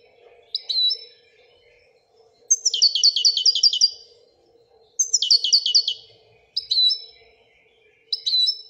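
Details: Royal goldfinch alternating short twangy whistled notes with fast trills of bright repeated notes, steady low hum in the background.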